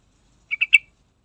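A yellow-vented bulbul gives three quick, bubbly, liquid notes in a rapid burst, the last one loudest. There is no other sound.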